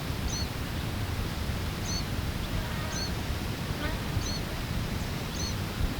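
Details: A Mourning Sierra Finch fledgling, downy-headed with undeveloped wings, on a rock wall near its just-emptied nest at Putre, Chile, around 17 April 1994, begs incessantly with a thin, high, screechy note about five times, roughly every second, over steady low wind rumble, parents nearby.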